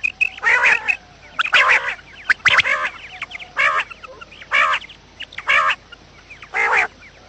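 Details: Quail calling from a trapping lure recording: a steady series of nasal, harmonic calls roughly once a second, with short chirping notes scattered between them.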